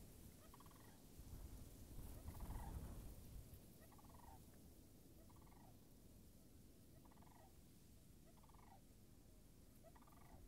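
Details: Somewhat distant sandhill cranes at a marsh in late March 2019, the water still iced over. Seven soft rolling rattles repeat about every 1.5 seconds beneath strong low rumbling noise.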